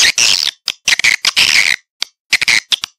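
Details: Swiftlet call for luring birds into a nesting house: short bursts of harsh, high, buzzy chirping, separated by brief pauses and a few isolated clicks.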